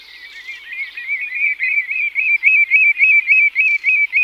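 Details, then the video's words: Common redshanks, several birds, giving flight calls and song display: a rapid, regular series of clear piping notes, about four each second, growing louder and steadier toward the end. "Redshank. MCU - Mp Flight Calls And Song Display From Several Birds."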